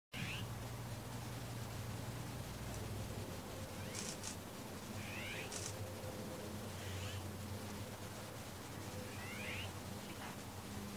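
Azure-winged Magpie gives harsh, rasping, cat-like calls every two to three seconds over a steady low rumble of background noise.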